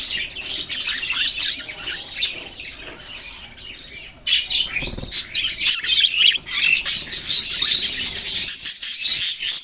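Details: Budgerigars, Australian parrots, in lively group chatter: overlapping high chirps, squawks and warbling notes, quieter briefly near the middle, then resuming loudly.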